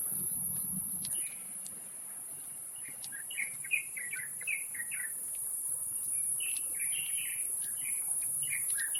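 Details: Taiwan Blue Magpies raising a brood, recorded wild at Taipei Zoo on 7 May 2022 at 11:43. After about a second, rapid rasping call notes arrive in bursts. A continuous shrill insect buzz fills the background.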